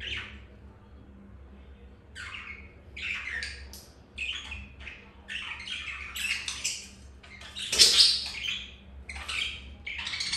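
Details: Budgerigars mating indoors; scattered scratchy squawks and chattering notes, starting sparse and growing denser, one louder harsh squawk near the end, constant low hum behind.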